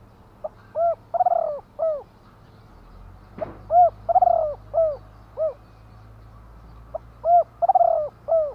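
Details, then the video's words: Spotted dove repeating its cooing phrase three times, about every three seconds. Each phrase has a short pip, a hollow coo, a trembling rolled coo and two or three falling clipped coos, over a low steady hum. "นกเขาใหญ่ !!! 2 กุ๊กคูอ่างจัดเชลยคารม"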